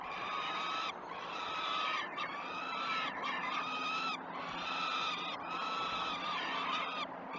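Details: Peregrine falcon chicks at the Great Spirit Bluff nest calling during the first feeds, 06.20 on 12 June 2018, live nest camera. Loud, raspy drawn-out screams come about once a second in overlapping bursts, over windy hiss.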